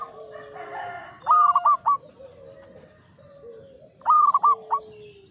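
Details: Zebra dove, local Javanese bird, in Mataram 'ngepat' rhythm song: two short phrases about three seconds apart, each a loud coo followed by quick clipped notes, with soft low cooing in between.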